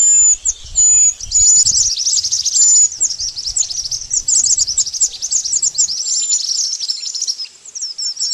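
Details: Pied bush chat lure sound for bird trapping: high, thin whistles at first, then a dense run of quick chirps that fades a little near the end.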